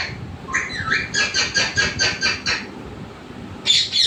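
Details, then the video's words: Parrot kept as a pet: a short bending, rising-falling syllable, then seven evenly spaced clipped staccato notes over about a second and a half, a pause, and a final sharp high burst. "मिट्ठू की आवाज"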